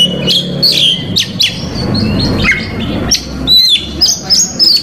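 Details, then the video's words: Oriental magpie-robin singing to provoke rival males. Bright whistled notes, sharp up-and-down slurs and short twitters in quick clusters, with faint low background noise. "KACER COR DOR BONGKAR ISIAN PAS UNTUK MEMANCING KACER LAWAN"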